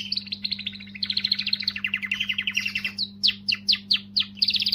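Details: Canary singing to motivate females, a fast rolling trill shifting through several pitches, then a slower series of sharp downward-slurred notes, over a steady low electrical hum.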